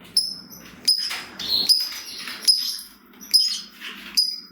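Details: Lovebird of the fighter kind, heard as a lure for other lovebirds to answer. Sharp, piercing high chips come about once a second, with a thin hissing background between them.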